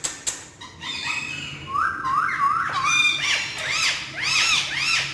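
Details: Three male ringneck parakeets playing on house stairs indoors: a run of rising whistled notes climbing step by step, followed by rapid arched chirps repeated several times a second, with room noise in the background.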